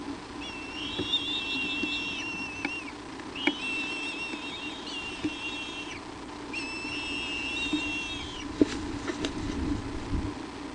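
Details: Bald eagle, the mother, on an evening nest visit with a branch at Hornby, 22 July 2011. Three sustained, rich whistles, each about two seconds long with a drooping tail, are followed by scattered clicks and knocks.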